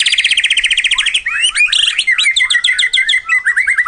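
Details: Murai batu, the white-rumped shama, in a pacingan lure recording. It opens with a rapid, evenly repeated high trill, then shifts into varied chirps and quick slurred whistles. Nothing else is audible behind the bird.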